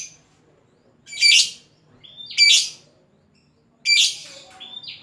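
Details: Lovebird calling a rival: three loud, harsh, high squawky chirps roughly 1.3 seconds apart, each followed by a thin whistled note, in otherwise quiet surroundings.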